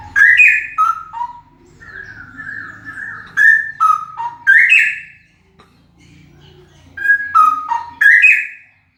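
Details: Loud song of a male straw-headed bulbul: bubbling whistled phrases jumping up and down in pitch, three bursts separated by short quiet spells.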